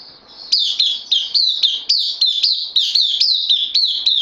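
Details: Caged bulbul on loan, newly arrived, 12 September 2020. Steady stream of crisp, high chirps, each note flicking up then sliding down, repeated almost four times a second.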